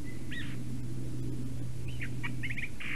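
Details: Eurasian jay singing at a black stork nest in Latvia, 9:47 AM, 11 April 2019: a thin whistle, a mewing note, then a quick run of clicking, chattering notes ending in a harsh burst, over low hum.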